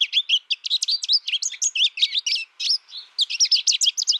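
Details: American goldfinch giving a rapid, continuous run of high, bright twittering chirps and sweeping notes, with a brief pause near the middle before the twitter resumes.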